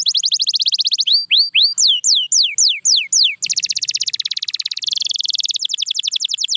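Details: Canary singing a varied sequence: a fast high trill, a run of slow rising-then-falling swooped whistles, then dense rapid rolls and buzzy trilled tours.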